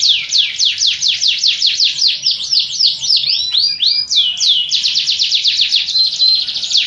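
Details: Canary singing, one of several canary types: quick descending whistled sweeps repeated about four per second, breaking into looping slurred notes, then a rapid even trill.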